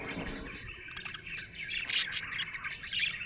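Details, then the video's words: Cheerful budgerigar chattering in rapid chirps and squeaky twitters, growing louder and brighter in the second half with several sharp high notes. "Happy budgie chirping sound"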